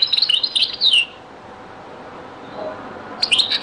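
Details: Old European goldfinch recording in the Beni Messous 'les avocats' or zaboka style: an opening second of quick, high, tinkling twitters, then near silence, then another short twittering burst.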